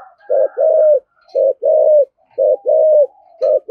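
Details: Spotted dove giving a thổ sấm style coo with thúc gù and calling coos: low, hollow paired notes, each a short hoot followed by a longer, slightly falling coo, repeated about once a second in a quiet room.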